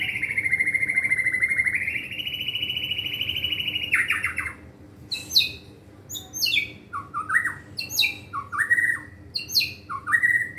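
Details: Pet white-rumped shama showing off its learned fill-ins: a long, steady whistle that steps up in pitch, then a lively series of sharp downslurred notes and rising whistles.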